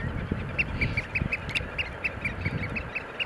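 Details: Eurasian oystercatcher during a display dance, giving a steady run of short, shrill piping notes about five per second, each sharp and even in pitch, over a low rumbling background of wind or handling noise.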